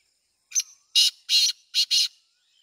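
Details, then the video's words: Black francolin calling: one short harsh note, then four loud rasping, grating notes in quick succession, the second and third longer, the whole phrase lasting about one and a half seconds, with a faint thin whistle in the background. "کالا تیتر کی آواز سندھی تیتر کی آواز"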